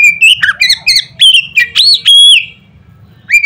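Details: Oriental magpie-robin giving loud notes meant to stir other magpie-robins into singing: clear, sharp whistles with rising and falling slurs, several short phrases then a pause, over a faint low hum.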